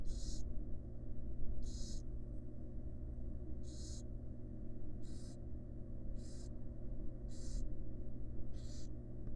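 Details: Nest box of wild barn owls, with the mother resting alongside her offspring; seven harsh breathy hisses, each under half a second, following one another steadily over a low mechanical hum.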